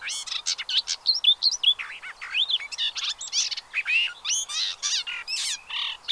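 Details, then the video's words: Pied avocets with chicks, Séné nature reserve, Gulf of Morbihan, France, 30 April 2023: a steady, loud stream of piping notes and slurred whistles, many birds calling over one another throughout. "AVOCETTE Élégante/Poussins 2023 ! BRUITX"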